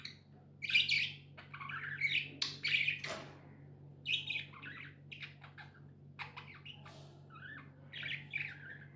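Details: Pet budgies chirp in spaced bursts roughly every two seconds, clear warbling notes and sharp clicks, quieter pauses between, a low hum running throughout an indoor room.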